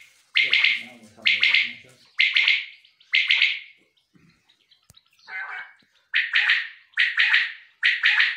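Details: Male common quail calling: loud three-pulsed phrases, each about half a second, repeated roughly once a second. A short stretch of human speech and a click break the series midway before the calling resumes.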